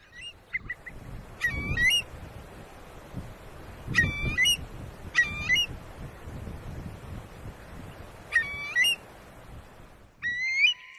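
A Eurasian curlew gives short bursts of rich, slightly harsh, bending calls every two to three seconds, over a low rumble of wind.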